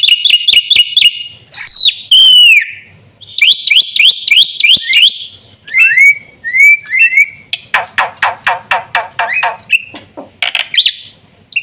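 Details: Black-winged myna (jalak putih) in varied song: quick ticking runs, slurred descending whistles, repeated rising buzzy notes, then a dense series of harsh clipped squawks.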